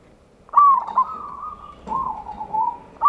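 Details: Local zebra dove singing in a ngayer kerot nutut style, used as a lure to rouse other doves. A low, rolling coo begins with a sharp stutter, then holds steady and flat, with a fresh phrase starting at the end.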